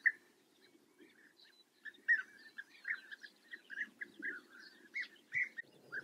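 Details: European bee-eaters recorded in the Eifel, Germany, calling busily: clustered, rolling, burry notes repeated in quick, irregular bursts over a low rumbling background.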